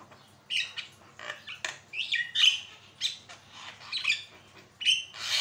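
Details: Javan myna song, a recording used to train birds and prompt them to sing: loud, scratchy squawks and rising, whistled rasps tumble out irregularly, with short quiet gaps between.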